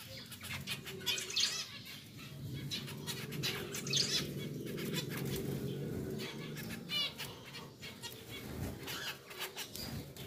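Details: Pied zebra finch pair, male sitting in its new nest, just moved from a small cage into a bigger cage with plastic leaves, giving short, nasal, buzzy calls in quick bursts over a steady low hum with scattered clicks and rustling.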